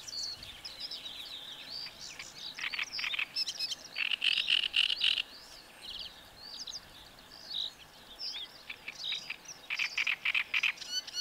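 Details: Great reed warbler singing in reedbeds, a very loud song of short strophes built from repeated syllable sequences with frequent harsh 'r' sounds; bursts of grating, chattering phrases broken by brief pauses, with faint calls of other birds behind.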